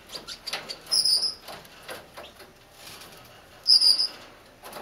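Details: A female (lady) Gouldian finch gives two brief, thin, high-pitched calls about three seconds apart, over soft rustling and light clicking.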